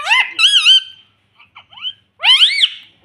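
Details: Pet Indian ringneck parrot calling indoors: wavering, harmonic talk-like phrases, a pause with soft clicks and short notes, then a loud rising and falling squawk.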